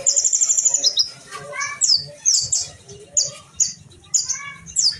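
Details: Kolibri ninja sunbird from Indonesia pitted in a fight: a fast high trill opens, followed by short sharp descending chirps and softer lower twitters, repeated in irregular bursts about every half second to a second.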